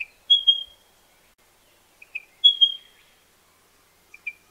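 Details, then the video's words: Pardalote, a small bird found in lower ground close to water, giving high, clear whistled notes in short pairs, with long silent gaps between phrases. "BEST PARDALOTE SOUND COMPILATION"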